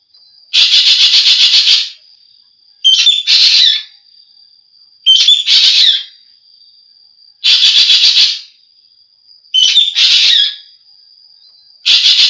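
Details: Green magpie calling repeatedly: long harsh buzzy bursts alternate with shorter notes that open on a squeaky whistled slur. Each call is spaced about two seconds apart, with a faint continuous high tone beneath.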